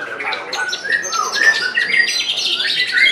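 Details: White-rumped shama singing at a top-class bird singing competition in Semarang, Indonesia, on 3 July 2022; a winning bird. The song has varied clear whistles and quick chattering notes mixed with sharp rising phrases, continuous throughout, with other birds audible.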